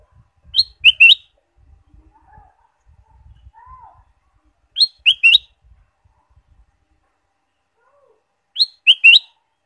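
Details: Ruby-throated bulbul song used as a lure to stimulate caged birds: a bright, quick three-note whistled phrase, the first note rising and the next two falling then rising, repeated about every four seconds with quiet gaps and faint low rumble between.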